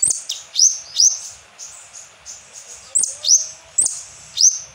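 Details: Asian glossy starling lure song with kapas tembak fill. Loud, sharp whistled notes come in quick pairs, with softer sustained high tones between them.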